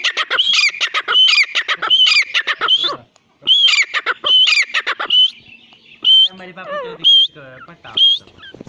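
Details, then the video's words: A grey francolin (teetar, partridge) gives loud, shrill, ringing notes in rapid repeated bursts, then a few spaced high calls with softer twittering between. "teetar ki awaz. partridge sound"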